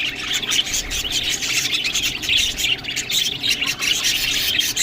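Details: Green food being eaten by a group of budgerigars, with constant high chirping and warbling chatter and occasional squawks mixed in.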